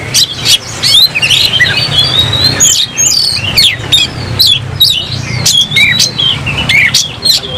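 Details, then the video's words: Oriental magpie-robin singing while in a fighting mood, tail spread. Scattered sharp chips and thin whistled slurs play over a steady low hum in the background. "Kacer gacor langsung tarung buka ekor bongkar emosi"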